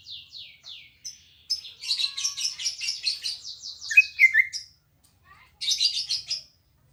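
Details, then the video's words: {'caption': 'Energetic green leafbird song recorded at a house, with quick sliding chips leading into a dense, buzzy trilled phrase, a few loud falling whistles, a pause, then another burst of trilling.'} "Suara Burung Cucak Ijo Gacor Apik Merdu"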